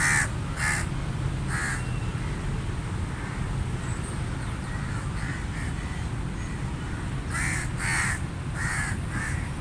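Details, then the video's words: A crow gives harsh, hoarse caws in short bursts, some paired, loudest at the start and end, over a steady low rumble of wind or distant traffic. "Sound Of Crow Bird | Crow Crows Sound Effects"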